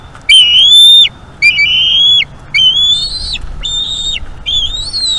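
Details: Bald eagle eaglet at a Florida nest, calling a lot during a May evening feeding: five loud, high whistled cries, some rising slightly before a quick downward drop, spaced about a second apart.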